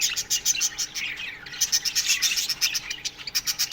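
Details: Aviary budgerigar colony at morning, chirping in rapid pulsed bursts of high tweets, a brief lull midway, then quick rhythmic chattering resumes.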